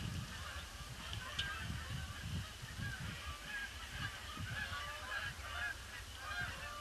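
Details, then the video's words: Canada geese flocking in on a gloomy Boxing Day, circling the pond before they land; many overlapping nasal honks, louder toward the end, with low thumps and steady background rumble. "Huge influx of Canada Geese"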